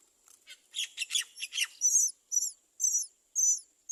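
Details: Great myna chicks at the nest crying for food as the parent brings none; a rapid run of harsh, buzzy rasping notes gives way to high, thin squeaks repeated roughly every half second.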